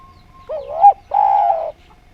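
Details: Spotted dove (derkuku Djawa) in lively, harmonious song: a wavering coo that rises to a sharp peak, then a sustained, slightly buzzy low coo lasting about half a second, with a steady hum underneath.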